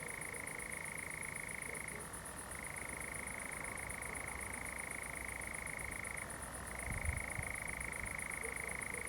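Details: A nightjar churrs at night in pinewoods at Zamudio, Bizkaia, 7 July 2020, with fireflies about. The even trill sinks to a lower pitch twice, near two and six and a half seconds. Shrill rhythmic insects chirp throughout, and a low thump comes near the end.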